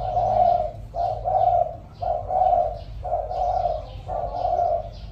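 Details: Spotted dove kept as a decoy bird, cooing in the 'giọng thổ' voice style: low, hollow, mellow coos in grouped phrases, roughly one per second, fairly steady across the recording, with a faint low hum underneath.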